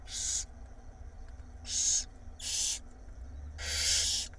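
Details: Five barn owl nestlings in Israel, fed by the female overnight in early April 2021, giving breathy hissing bursts of about half a second, four in a few seconds at uneven gaps, with a faint hum behind.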